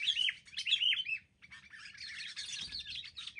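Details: Wild sooty-headed bulbuls ganging up in an attack before capture: two loud bubbly phrases, a short pause, then a continuous hoarse chattering mass from several birds together.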